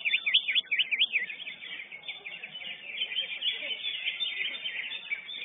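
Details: Lesser green leafbird, first-place winner at a singing competition, opening with a quick series of looping up-and-down whistles, then shifting into a fast, steady, high twittering chatter.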